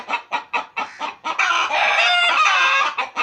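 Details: Home-kept pet chickens: five or six quick separate clucks followed by a loud, sustained harsh cackle before the clucks resume.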